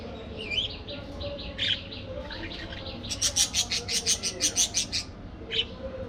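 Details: Budgerigars chirping in an aviary: scattered warbled notes, then a fast run of about ten sharp, buzzy repeated chirps in quick succession, followed by a final lone chirp over a low background hum.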